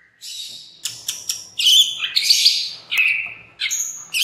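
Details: White-rumped shama lure song (pancingan), used to make other shamas sing loudly and open their beaks: bright high whistles and sharp chirps in quick, irregular bursts, with short trills and a lower sliding phrase near the end.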